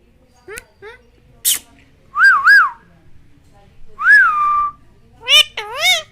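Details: Indian ringneck parakeet kept as a pet talking bird, mixing short rising chirps, wavering whistled phrases and a final burst of harmonic speech-like syllables, with clicks between, indoors.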